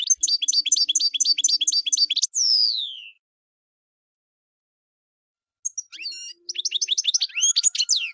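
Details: Probably a caged European goldfinch singing: a rapid rhythmic series of sharp twittering notes, a long falling whistle, a silent gap, then renewed tinkling, chattering phrases with rising sweeps.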